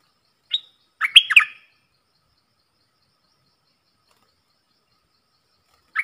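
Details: Bulbul kept in a cage, singing against wild birds, 3 October 2564 Thai calendar. A single short note comes first, then a fast, loud, gurgling whistled phrase. Long quiet follows before a brief note at the end.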